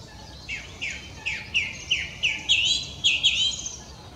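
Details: Mistle thrush at Pateira de Espinhel, Portugal, in mid-March, singing as at dawn and dusk: about nine loud fluty notes, each sliding down then up, delivered roughly every third of a second and growing stronger. Quiet low hum behind.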